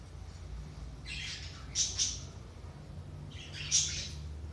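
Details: Budgerigar chatter used to liven up inactive budgies: two separate bursts of hoarse, buzzy warbling with sharp squeaky peaks, about two seconds apart, against low background hum.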